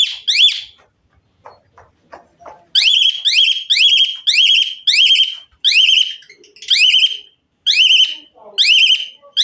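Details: Asian pied myna singing with varied filler phrases to urge other mynas into song: loud, ringing, upslurred whistles with a sharp onset, repeated about once a second in a steady series after a quiet start.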